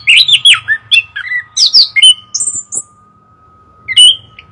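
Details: Chestnut-capped thrush giving descending warbled phrases and high slurred whistles, then a pause and one more rising whistle, with a soft low rumble and a steady hum underneath.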